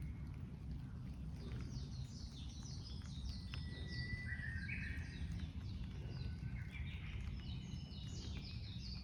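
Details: Japanese bush warbler singing on a rainy late-April 2022 day in the forest of Oyamada Ryokuchi, Tokyo: a held whistle followed by a quick rising phrase, amid many thin high chirps from other small birds and a steady low rumble.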